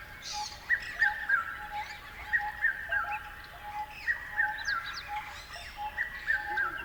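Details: Bird calls in repeated sets of three descending, slurred notes about every one and a half seconds, with occasional high chirps from other birds in the background.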